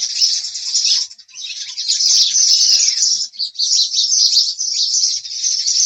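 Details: An unbroken, loud chorus of high house sparrow chirps runs throughout, dense and overlapping with no silent gaps.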